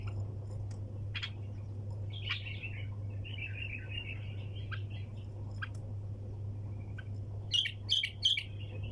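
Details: A bulbul sings in the tak janah, tor sayyad style with scattered clicks and a quiet warbled run, ending in a loud trio of sharp chirps, all over a low steady hum.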